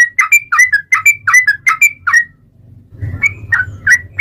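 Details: Yellow-vented bulbul singing hard, used as a lure for other bulbuls: quick rolling liquid notes alternating high and low, a brief gap with low rumble, then slower bright whistled notes.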